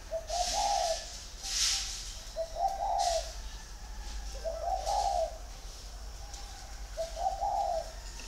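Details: Big-bodied caged male spotted dove, caged six years, Ba Vì, Vietnam, 'giọng thổ' voice: four evenly spaced, low, rolling coo phrases about every two seconds, with light clattering noises early on.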